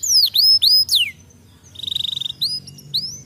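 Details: Canary giving a few loud swooping whistles, a short pause, then a brief rapid trill followed by more sliding high notes.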